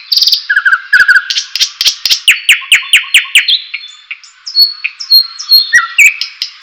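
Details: White-rumped shama, song played for other birds to learn and to raise their excitement: opening rattles and whistles, then a quick series of downward-slurred notes, followed by softer high whistles and chips.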